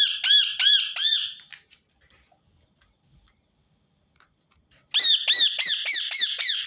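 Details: Rose-ringed parakeet calling in a loop meant to make other birds sing: three harsh screeches, a pause of about three seconds, then a fast, steady run of shrill, arched squawks.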